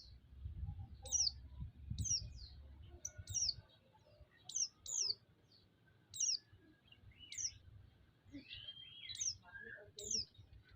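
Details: Sequence of white-eye chirps meant to provoke and excite other white-eyes: about a dozen sharp, high notes, each falling in pitch, given in loose irregular series, with brief lower warbles and low rumble early on.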